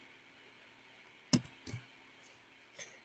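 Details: A few sharp knocks and clicks in a quiet small room, with no animal sound.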